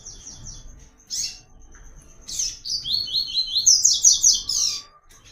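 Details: Double-collared seedeater, or papa-capim, singing the Tui Tui pattern meant as a training model: soft chirps, then a loud run of rapid, buzzy, descending trilled notes lasting about two seconds.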